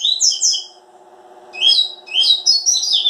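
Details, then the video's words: Caged Double-collared seedeater singing two bursts of rapid, high, twittering notes that swoop and warble between about mid and very high pitch, separated by a pause; a steady low electrical hum runs underneath. "Coleiro máquinas da natureza. corbatita"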